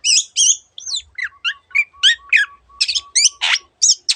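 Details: Long-tailed shrike song of quick, high whistled notes, many sliding downward, repeated about three times a second with a steady low tone beneath, ending in a harsh burst and more chirps.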